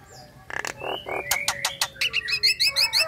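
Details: A female Nias hill myna calls to the male while in breeding condition. Harsh grating notes lead into clipped, ringing calls that come faster and louder, about three a second.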